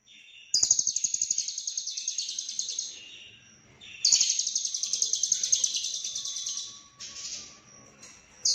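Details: Konslet lovebird song with full isian, recorded in Cililin: two long runs of rapid, pulsing, buzzy chatter, each lasting about two and a half seconds, pulses fading gradually, followed by softer twittering and a steady thin high tone.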